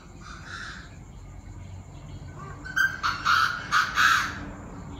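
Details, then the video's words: Chinese francolins calling in the evening at 7 pm on 9/18, many voices: faint rasping notes first, then a loud fast burst of harsh, grating phrases in the last two seconds, with low steady hum behind. "Tụi đa đa - nhiều giọng - đại náo lúc 19h 9/18"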